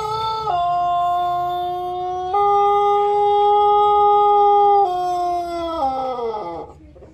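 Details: Pelung chicken, a rooster from Garut, giving one very long drawn-out crow lasting about six seconds: a clear, tonal, held note that steps up in pitch partway, then falls and fades with a wavering end.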